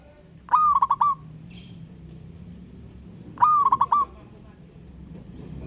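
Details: Local wild zebra dove cooing vigorously to call a rival, giving two rhythmic phrases about three seconds apart, each a rising opening note running into rapid stuttered coos, with a faint higher chirp between.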